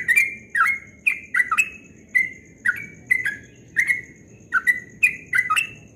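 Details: Yellow-vented bulbul singing its fast 'ropel' song at dawn, praised as melodious: a string of quick warbled notes, some dropping then rising, delivered roughly every half second, each preceded by a crisp tick, over a soft low rumble.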